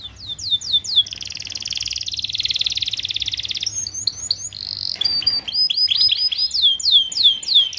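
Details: Young canary singing as a master recording for young group-caged canaries; quick curved chirps open into a long, steady buzzy rattle, followed by clear whistled notes and fast descending sweeps.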